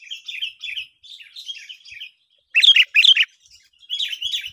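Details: Sooty-headed bulbuls in a chirping duel, a sound used for luring birds into traps: soft, rhythmic, burbling two-part notes, then two loud, harsh chattering bursts and a final warbled phrase.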